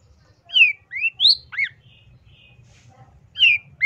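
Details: Long-tailed shrike (Lanius schach) song: harsh, slurred whistles sweeping up and down, given in quick bursts of four with a pause, then more.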